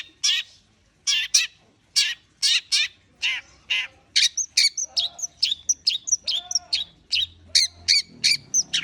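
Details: Long-tailed shrike warming up its song, Indonesia: loud, harsh, clipped notes in pairs and short bursts, becoming a faster stuttering string of sharp chips toward the end.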